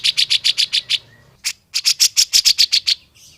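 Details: Grey-cheeked bulbul, a natural, clear training recording used to prompt other bulbuls to sing sooner. A rapid series of about seven bright, high notes, then a short pause and a longer run of a dozen similar ringing notes.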